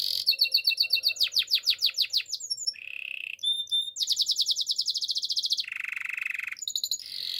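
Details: Spanish Timbrado canary song used for training, a fast sequence of varied tours: rapid descending trills, a low buzzy rolling section, bright metallic notes and a long pulsed high trill, all delivered in quick succession.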